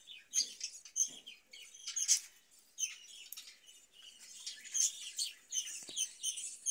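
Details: Caged budgerigar, kept in a cage where birds breed and fed cucumber in summer, giving a busy stream of high, scratchy chirps and squeaky twittering notes in quick irregular bursts, with brief pauses and faint low clicks.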